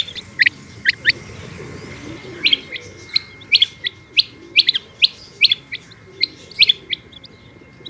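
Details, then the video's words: Calling female rain quail (batair): bright, abrupt upswept notes, singly or in doubled bursts, repeated every half second to a second against a quiet background with a steady thin tone. "Rain Quail Calling Hd |Batair Ki Awaz |Female Quail Calling Batair Ki Awaz"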